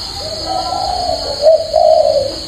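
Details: A captive Spotted dove gives a warm, low three-part coo, a long mellow note followed by two shorter ones, over a steady high electrical hum.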